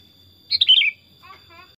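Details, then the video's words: Chatty tame pet Sooty-headed bulbul gives one brisk, liquid warbled phrase that drops in pitch. A faint human voice follows, and a steady high whine runs throughout. "Kutilang Super Gacor Suara Alami Hutan"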